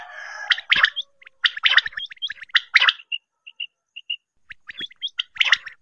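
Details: Quail sound used in hunting: a busy, gargling jumble of rough chattering notes mixed with short pure whistled pips, then scattered clear chirps and more chatter.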